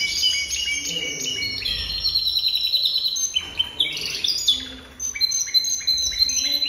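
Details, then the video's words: Jaspe canary singing a rich, rapid song of high whistled rolls and trills, sliding between phrases with short pauses and a bright, continuous run of notes at the end. "Chant Canari Jaspe"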